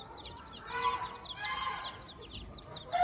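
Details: Chicks with their mother hen on a farm: quick high curved peeps dominate, repeated several times a second, with soft murmured clucking from the hen underneath.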